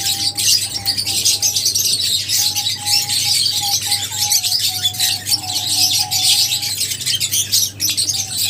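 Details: Lovebird group chirping, a thick wash of high, harsh twitters and squeaky notes running continuously over a constant low drone and a faint thin tone.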